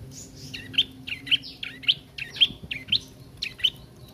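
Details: Juvenile bar-winged prinia practising song: a string of bright, clipped chirps, each a quick rising-falling flick, repeated almost twice a second with a slightly uneven rhythm.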